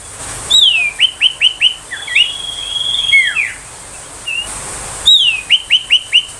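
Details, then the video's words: Ashy tailorbird song used to tutor young tailorbirds and magpie-robins: a high falling note followed by four quick chirps, then a level whistle with slurred notes, the chirp phrase repeated near the end. "Suara tembakan sirtu paling di sukai untuk masteran murai batu."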